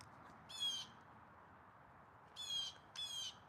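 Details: Wild blue jay calling loudly outdoors during a livestream: three harsh, buzzy 'jay' screams, each about a third of a second, the first alone and the last two close together, over quiet background hiss.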